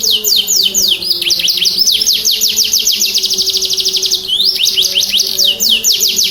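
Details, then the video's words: Canary singing, meant to make silent canaries respond: high sweeping notes leading into a long even trill, a brief pause in rhythm, then more rapid descending notes above a steady low hum. "Pancing Kenari Bunyi Kenari macet Langsung Respon"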